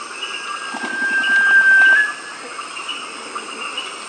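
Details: Sunbittern in Tambopata, Peru, gives one long, thin, pure whistle, held steady for about a second and lifting slightly at the end, over a low, busy background hum.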